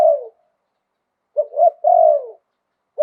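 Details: Spotted dove song in 'liu tan' style with a wild 'khan yon' voice: the end of a falling coo, a pause, then a full phrase of two short hoots and a long, slowly descending purring note.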